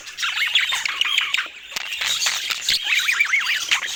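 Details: Several budgerigars warble in a lively stream of looping, up-and-down chirps and rasping squawks that run almost without gaps.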